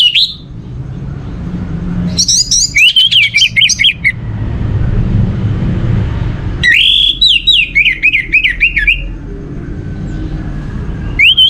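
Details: Orange-headed thrush singing to prompt other birds into song: rich whistled phrases with quick warbling trills, delivered in bursts about four seconds apart, with low background rumble between phrases.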